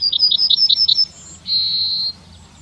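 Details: Yellowhammer singing in the town of Wittlich, Germany, in 2019: a fast series of about eight short bright repeated notes, followed by a longer drawn-out high thin note at the end.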